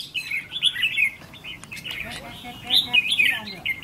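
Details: Caged trainee decoy red-whiskered bulbul with two 'fire eyelid' marks, being tested for temperament: bright, warbled chirping phrases in quick bursts, some rising and falling slurs, with faint background voices.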